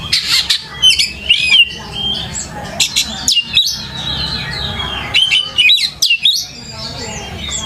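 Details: Oriental magpie-robin (kacer) in full lure song meant to make other kacer answer and sing: loud whistled phrases mixed with harsh squawky notes, rapid slurred rising and falling figures, short gaps between bursts, steady low hum beneath.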